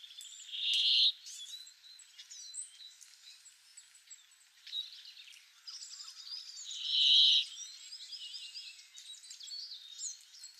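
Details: Garden bramblings recorded in April 2013: two loud, wheezy, buzzy notes about six seconds apart, with quieter high chirps and twitters running between them.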